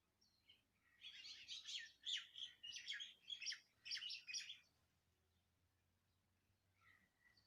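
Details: Birdsong from Andhra Pradesh, India, a run of quick high chirps packed into about four seconds, then near quiet with a faint closing note.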